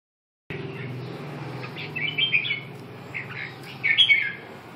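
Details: Red-whiskered bulbul giving short warbled chirps in two brief bursts, separated by quieter gaps, over a steady low hum.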